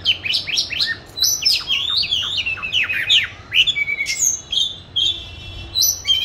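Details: Caged oriental magpie-robin kept since 29 July 2020, training its song; fast sequence of sharp whistled notes and slurs, ending in a buzzy trill and a few high whistles.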